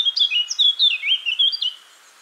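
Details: A loud, clear song phrase of the Eurasian blackcap, with rich fluty whistles sliding up and down in quick succession for nearly two seconds, then silence.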